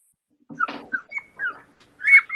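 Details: A Canada Jay gives a quick, varied run of notes: a harsh, scratchy burst, several short clear whistles, then a louder warbling phrase. This is the call most likely heard in the forest, in a Manitoba winter birding context.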